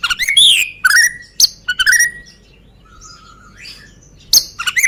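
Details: White-rumped shama of Medan type, black-tailed and long-tailed, singing as a lure for other birds: loud varied whistles and sharp clicks, a soft faint twitter in the middle, then renewed bright notes.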